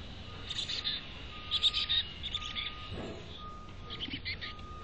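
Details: At a nest box in North Vancouver, chickadees make short groups of high, thin chirps in several separate bursts, with a faint steady tone and one soft rustle in the background.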